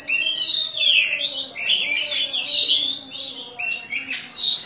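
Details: Caged contest Oriental magpie-robin that has won many bird competitions pours out continuous high, crystal-toned warbling with rich, sharp fillings, dipping briefly in loudness before surging again; low background hum.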